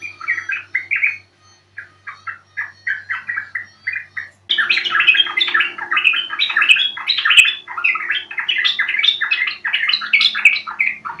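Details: Yellow-vented bulbul call used as a lure to start birds singing: a string of evenly spaced chirpy phrases, then a louder, denser rush of bubbling, chattering notes continuing for several seconds.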